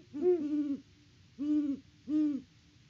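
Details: Deep hoots from great horned owls at a farm nest tree in Peabody, Kansas: a long opening hoot with a second voice overlapping, then two more evenly spaced low hoots.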